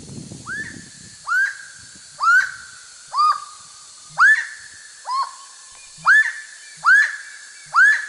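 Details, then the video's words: Bare-throated Bellbird recorded in Brazil gives loud, metallic, anvil-like notes, each a sharp upswept clang, repeated about once a second over a faint steady hiss. "that sound is from a Bare-throated Bellbird."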